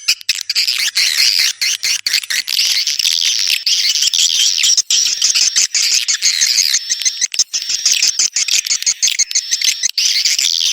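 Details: Swiftlets giving a dense, high, chattering twitter with rapid irregular chirps, roughly two bursts a second, over a steady thin whistle tone.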